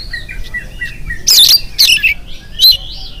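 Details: Oriental magpie-robin morning song meant to prompt other birds to join in: soft whistled notes at first, then three loud harsh buzzy bursts separated by brief pauses, with a rising whistle between them.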